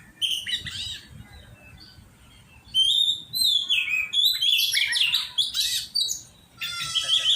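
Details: Oriental magpie-robin being trained to sing: a short opening phrase, a quiet gap, then a loud stream of whistled slurs and harsh rasping notes ending in a rapid buzzy rattle.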